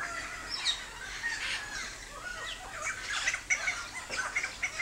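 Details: Helmeted friarbird song: a busy jumble of harsh, squawky and chattering mid-to-high notes, overlapping and uneven in rhythm, with several louder rasping bursts toward the end.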